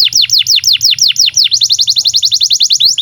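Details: Canary singing a master song for young birds: evenly repeated downslurred whistles, about four per second, then a faster run of sharper sweeping notes.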